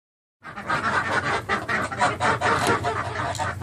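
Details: Geese calling in the morning: a dense, continuous chorus of harsh, overlapping honks that starts abruptly and keeps going without a break.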